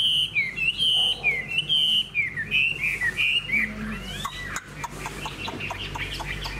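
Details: Hwamei kept as a caged songbird, fan-tailed and well-behaved, pouring out rich looping whistles for about four seconds, then breaking into scattered sharp chips and clicks amid low background rumble.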